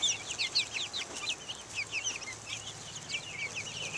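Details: Young chicks of Buff Orpington, Black Australorp and Americana breeds outdoors in the open air in 2010, peeping constantly with many high, short, rising and falling chirps overlapping from several birds, with a faint low hum underneath.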